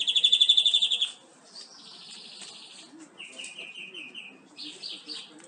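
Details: European greenfinch (Carduelis chloris) song used to stimulate other greenfinches: a loud, fast trill of about ten bright notes in a second, then softer twittering trills and short runs of repeated notes.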